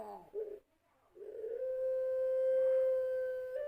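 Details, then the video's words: Captive-bred puter pelung spotted dove with a long voice, used to draw other doves into cooing: a brief falling coo, a silence, then a slowly swelling steady tone sustained for over two seconds. "Suara Pancingan Puter Pelung Suara Panjang"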